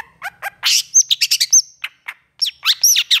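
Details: Long-tailed shrike in lively, agitated full song with long bursts: quick varied chirps, sharp high whistles and harsh buzzy notes tumbling in rapid runs, a brief pause near two seconds, then further dense high chirping and whistled phrases.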